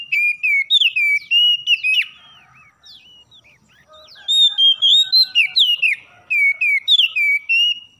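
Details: Oriental magpie-robin in morning song, used to stimulate caged birds. Rich repeated whistles rise and fall in rapid phrases, broken by a brief softer passage of thin chips and buzzy notes before the loud whistling resumes.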